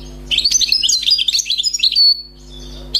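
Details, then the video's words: Newly caught wild European goldfinch singing: a fast tumbling run of bright, twittering notes high in pitch for over a second and a half, ending on a sustained whistled tone, then a brief pause and a last note. "غناء حسون بري صيد جديد #chant chardonneret"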